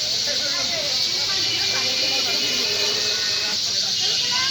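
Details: Large flock of sparrows gathering, as they do every afternoon, in a bakul tree and on power lines at Bakultala, Bhangura Bazar, Pabna; a dense, continuous high chirping chorus fills the air, with a man talking over it.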